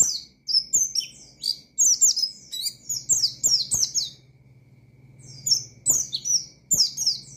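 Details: White-eye in energetic rival-calling song: nearly continuous rapid high downslurred chirps in overlapping bursts, with a low steady hum in the background.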